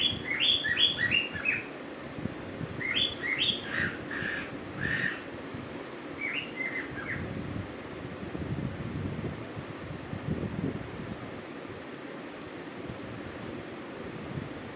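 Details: Cuckoo calling in short bursts of bright, sharp chirping notes, several quick clusters in the first seven seconds that step slightly downward, followed by a steady low background rumble with no further calls.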